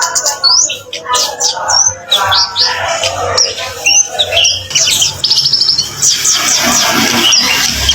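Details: Orange-headed thrush (kemade) singing to draw responses from other birds: crowded high whistles, rattling trills and scratchy mimicry tumbling together, with continuous hiss behind the song.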